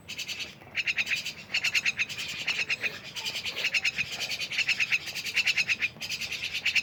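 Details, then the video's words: Myna song of grating rattles mixed with sharper clicking notes in quick groups, steady and busy. "rame bersama burung jalak"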